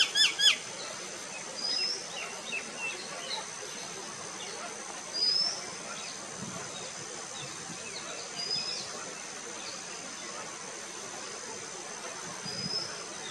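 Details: A juvenile bronze-winged jacana (Metopidius indicus) gives thin, high, upslurred peeps, one every three to four seconds, over a steady high insect drone and a few clicks.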